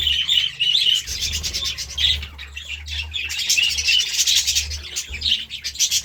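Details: Budgies chirp in the morning, a lively stream of high warbled notes mixed with fast clicking pulses, continuous over a low hum.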